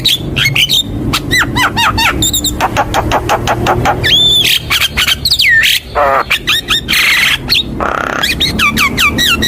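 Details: Javan myna training song used to lure and prompt other birds to sing: fast, varied whistles, sharp chirps and up-slurred notes in quick succession over a low background hum.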